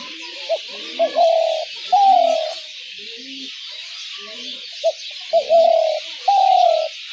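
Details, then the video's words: Spotted dove calls for luring doves to traps: two phrases, each of short introductory notes followed by long, slowly falling coos, over a continuous high-pitched hiss. "ঘুঘু পাখির ডাক/Dove bird calls/gugu pakir dak/ dove trap sounds/পাখির ডাক"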